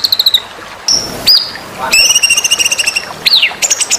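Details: Varied white-rumped shama phrases used as masteran for contest birds: quick chips, a clear steady whistle, a downward slur, a sustained two-tone warble, then sweeping notes and fast clicks.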